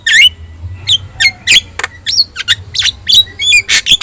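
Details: Harsh chattering squawks and brief rising whistles from a yellow-eyed Javan myna singing vigorously, recorded for teaching other birds, notes coming irregularly in quick succession.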